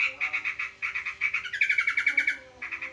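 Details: Sooty-headed bulbul in a fight with a sparrow: rapid harsh buzzing notes in quick bursts, then a longer strained, grating phrase that slides slightly downward before the rattling chatter resumes; steady hum underneath.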